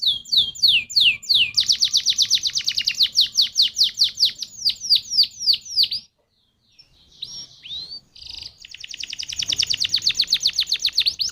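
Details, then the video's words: Canary lure song for stimulating other canaries: quick descending notes leading into a long fast trill of high chips, a brief silence with scattered notes, then another long rapid trill. "Pancingan Burung Kenari Jitu Langsung Nyaut Kenari Mana Pun Bakal Ngerol Dengan ini"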